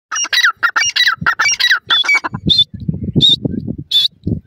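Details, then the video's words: Grey francolin chicks from Pakistan feeding and playing, giving rapid squeaky, harsh calls in quick irregular bursts, some with a rising-falling inflection, over low thumping and scuffling. "gora pakistani teetar ki awaz,pheasant bird chicks feed and playing"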